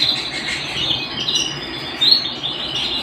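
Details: Canary at home delivering a steady, buzzy trill at a high even pitch, with a short brighter whistled note rising near the end.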